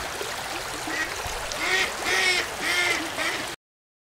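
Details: Duck giving a few rasping quacks, rising and falling, spaced about half a second apart, over a running-water hiss. The quacks are partly masked by the noise.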